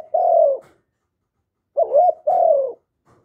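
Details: Vietnamese spotted dove, cu gáy, cooing: a long falling coo, a pause of about a second, then a full phrase with a short wavering note leading into another drawn-out descending coo.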